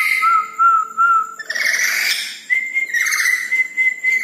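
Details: At night a Red-breasted parakeet sings energetically: steady pulsing whistles, a brief burst of rough, noisy chatter, then a long, higher level whistle with slight wavering.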